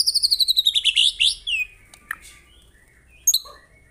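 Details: Murai batu, the white-rumped shama, from real birds in a training recording: a quick run of very high notes steps downward into a few whistles, then near silence with one sharp chip.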